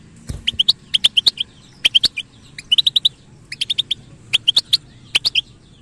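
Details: European goldfinch singing the song style known as al-batbata, a kept bird's song offered to bird trainers: bright, twittering bursts of short, high chirps in quick clusters of three to five notes, separated by brief pauses, with sharp clicks between.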